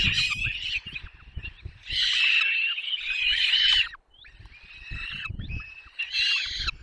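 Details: Peregrine falcon chicks fed for a long time at a Barycz Valley nest in Poland, 6 May 2021; piercing, drawn-out begging squeals come in loud waves separated by short pauses, with soft low bumps below.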